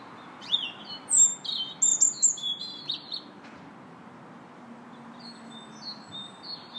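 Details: Robin singing in a park on 2 March: quick bursts of thin, high whistled and trilled notes jumping between pitches for about two seconds, then quieter, with another bird's short repeated notes continuing behind.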